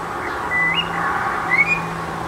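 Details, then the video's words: Eurasian blackbird alone on a rooftop, giving two drawn-out whistled notes, each rising at its end, over a low steady background hum. "Magányos rigó énekel a háztetőn"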